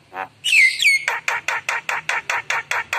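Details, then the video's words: Javan myna singing in active gacor style, its emotional song full of rich fill-in phrases: a loud whistled note that bends downward, followed by about ten evenly spaced harsh, rasping bursts. "Spontan Emosi Suara Jalak Kebo Gacor Penuh Isian Mewah"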